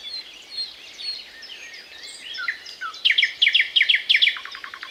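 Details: Thrush nightingale begins with soft, slurred whistles, then delivers a loud run of rapidly repeated sharp double notes followed by a short rattling trill.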